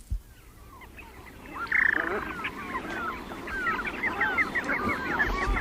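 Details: A flock of geese recorded on the sands of Morecambe Bay, calling together in a dense, overlapping chorus of nasal two-note honks, several a second, over a low rumble of wind or surf.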